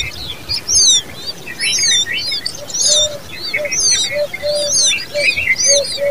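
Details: Common babbler nestlings keep up shrill, sharply slurred chirps in irregular bursts about once a second, while a soft low hooting note repeats underneath.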